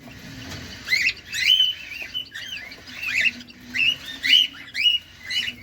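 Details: Cockatiel kept as a caged pet, recorded close up while feeding; repeated screechy, rising-and-falling squawks, roughly two per second in uneven bursts, over a faint steady low hum.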